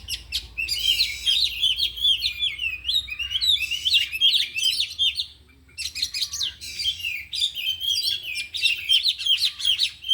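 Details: Afternoon training session of four caged oriental magpie-robins showing off isian; dense, rapid whistled phrases and chatters in long bursts, with a short quiet gap midway.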